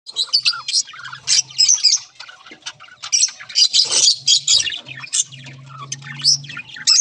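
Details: Budgerigars calling together, a dense stream of short scratchy chirps and squawks pitched high, overlapping continuously with brief louder bursts, plus a faint low hum underneath.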